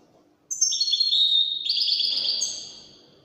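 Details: European goldfinch in Widani song: after a short silence a clear high sliding whistle leads into a dense, shimmering twitter lasting about two seconds, then fades.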